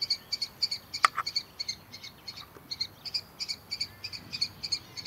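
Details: Young common kestrel of this year, out of its barn nest box and down on the ground at a farm in early morning, calling for attention: fast, shrill, harsh notes repeated about three per second, one sharper louder note early on.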